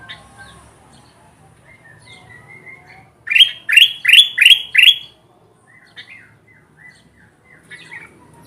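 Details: Calling kutilang emas bulbul meant to attract wild birds of its kind: five loud, evenly spaced upswept chirps in a tight burst, framed by faint short whistled notes before and after.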